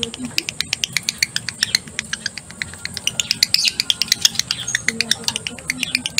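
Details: Breeding-condition male lovebird in ngekek song, a dense, fast run of crisp high ticks and squeaky chirps that grows busier and louder toward the middle, with a soft low drone underneath.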